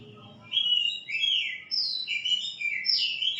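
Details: White-rumped shama song, a continuous stream of clear whistled notes, swooping and rising and falling, loud and unbroken against a quiet background.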